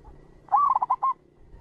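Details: Local zebra dove, a clear recording used as a trapping lure and to train decoy birds: one short burst of five quick, rolling coos, the first rising, packed into about half a second over a faint low hum.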